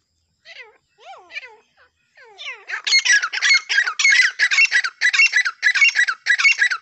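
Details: Francolins in a fight: a few thin, bending squeals, then a rapid run of harsh, buzzy squawks repeated almost twice a second and growing louder.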